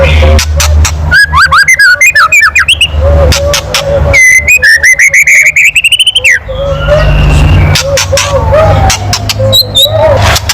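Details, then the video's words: White-rumped shama kretekan used to stir up other birds: two bursts of very rapid stuttering notes over a steady low whistle-like hum and background rumble, with scattered clicks between. "SUARA KRETEKAN MURAI BATU KERAS MEMANCING EMOSI"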